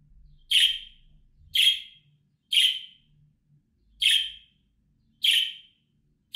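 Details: Budgerigar giving bright, high, clipped chirps, five in a row at irregular intervals of about one second, against near silence.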